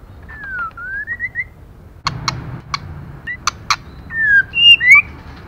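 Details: Female white-rumped shama calling to rouse male birds: a chain of short rising whistles, then several sharp clicks and knocks, ending with a cluster of looping high whistles.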